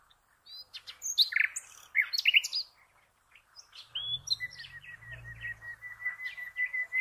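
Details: Common nightingale song, played for training cage birds: bursts of sharp varied chirps and whistles, then a long series of quick repeated notes at an even pitch, with a low rumble underneath midway.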